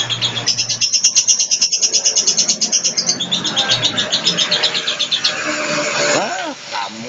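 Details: Moulting blue lovebird rattling out a long 'ngekek' chatter of quick, high, buzzy pulses for about three seconds, then fading into a wash of background noise with a voice near the end.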